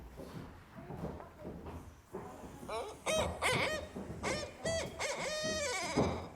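A Barred Owl gives loud, wavering, throaty hoots that slide downward at the ends, played back in a room after a few seconds of quiet murmur.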